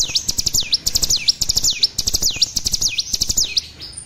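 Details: Juvenile olive-backed sunbird practising its song, a string of high swooping whistles that dip and rise again, repeated about twice a second amid dense twittering chips and faint clicks.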